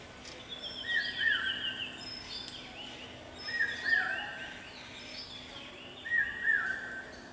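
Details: Male common hawk-cuckoo (brainfever bird) calling on a campus: short phrases of high whistled notes stepping upward, repeated about every two and a half seconds over a steady background hiss.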